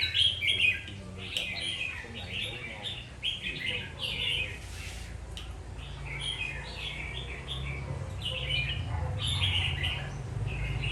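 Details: Red-whiskered bulbul, kept as a fighting songbird, sings quick chirpy warbled phrases in rapid bursts, about two per second, over a steady low hum and faint background noise.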